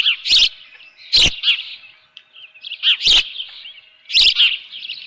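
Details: At a nest on a June 2018 morning with a live fish, an osprey calls in high chirping phrases, each accompanied by a loud crackling burst about once a second.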